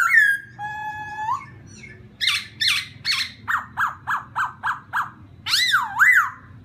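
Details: Laughingthrush song meant to provoke another bird: a long steady whistle that slides upward, then harsh notes and a steady series of about eight short falling notes, ending in looping whistled phrases.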